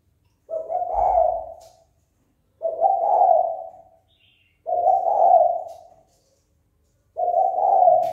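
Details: Spotted dove calling to provoke fighting. Four low, mellow coos come at a steady pace about every two seconds, each rising slightly and then fading away, with faint distant chirps between them.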